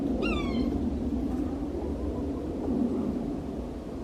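A Yellow-bellied Sapsucker gives one brief, nasal, cat-like mew that slurs downward. A steady low rumble of background noise runs underneath.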